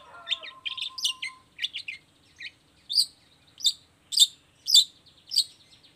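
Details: Long-tailed shrike in a lure recording meant to make other shrikes answer and sing: a short run of chattering, scratchy notes, then loud harsh chips repeated roughly every half second, with a faint low whistle at the start.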